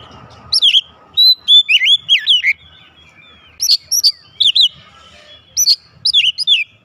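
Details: Oriental magpie-robin kept at home, replying loudly in vigorous song: clusters of piercing whistles that swoop downward, grouped in quick runs with short silences between each group.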